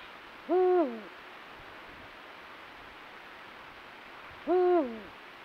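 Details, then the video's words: Eurasian eagle-owl during the nuptial pairing season at night, with calls, territorial encounters and copulation: two deep, level hoots dipping at the end, about four seconds apart, over a faint steady hiss. "NOCHES DE BÚHO REAL EN CELO; cópula, canto con luna llena y reclamos."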